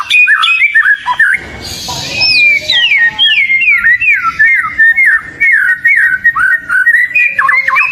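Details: Kacer lure song from an oriental magpie-robin: opening chirps, a brief noisy rush, then a long series of clear whistles each dropping steeply in pitch, ending with quick looping notes.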